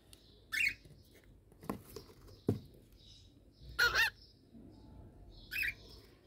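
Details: Pet cockatiel, a year old, busy building a nest inside a box: three short chirps with a wavering pitch, spaced a few seconds apart, over dull knocks and scratching from the nest box.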